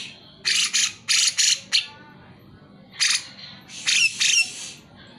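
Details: Grey-cheeked bulbul in lively song meant to coax silent birds into singing: loud harsh rasping bursts in pairs and triplets, separated by short quiet gaps.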